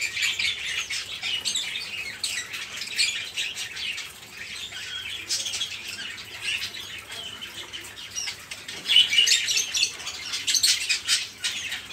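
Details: Steady noisy chatter of many caged budgerigars, played to stimulate other cage birds to sing; rasping warbles and squeaks blend into a continuous din, swelling louder near nine seconds.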